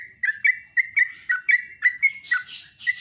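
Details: Fast chirping song of a sooty-headed bulbul in the morning, around two notes a second, bright downward-slurred whistles, ending with several broad hissing bursts.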